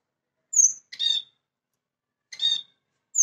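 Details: Spice finch kept as a home bird, singing: a thin, very high whistled note followed by a short buzzy, rasping note, the pair repeated about two seconds later and a new high whistle beginning at the end; clean background.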